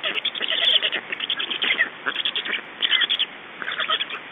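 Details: Estonian black storks at the nest, changeover and feeding on 2 June 2012 at 21:54: loud, fast, stuttering rasps, several per second, forming a near-continuous harsh chorus.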